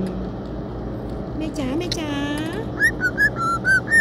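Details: Pet cockatiel whistling the Thai national anthem throughout a car trip, happy to be out: a string of clear, mid-pitched notes, some slurred upward, over vehicle hum, after a brief human sound.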